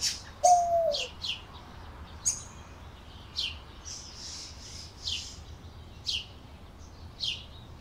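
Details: Canary giving short, sharp, high chirps roughly once a second, each a quick falling note; a single lower, cooing note from another bird sounds near the start, over a faint steady hum.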